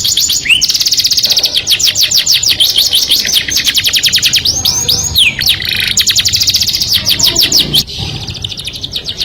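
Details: Canary singing to attract a mate, a long sequence of quick high trill bursts with occasional curving whistled notes, the phrases tumbling rapidly before fading slightly at the end.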